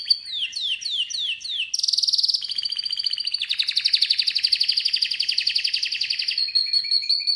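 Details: Chirping canary: a series of descending swept notes, then a harsh buzzy trill, followed by a long rapid rolling trill and a steady high note at the close.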